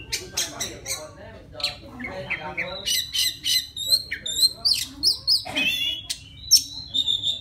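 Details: Oriental magpie-robin from the wild calling its mate with song: harsh scratchy chatter at first, then bright ringing whistles and sharp chirps in quick succession.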